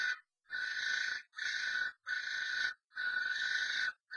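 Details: Inside a nest box, three common starlings fight after a strange bird comes into a pair's box; four drawn-out, grating screeches, each under a second, come in a steady series with soft thumps underneath.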